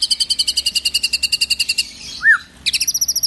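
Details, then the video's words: White-rumped shama singing in the morning a rapid, high chattering run of bright repeated notes, about eight a second, with mimicked phrases, broken by a single slurred lower whistle before the trill resumes. "MURAI BATU ISIAN KAPAS TEMBAK, CILILIN, KENARI"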